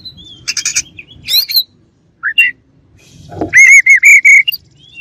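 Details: Scattered chirps from a white-rumped shama give way to a loud, evenly repeated whistled phrase with ringing overtones.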